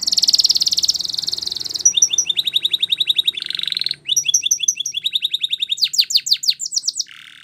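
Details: A Spanish Timbrado canary sings rapid metallic trills and rolling tours, switching between fast repeated notes, bell-like chips and buzzy phrases without pause; used as training song.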